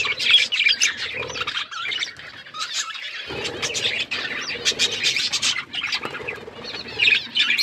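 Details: Budgies playing with each other in a group, producing scattered sharp chirps and twittering with a brief lull, plus soft fluttering and movement sounds.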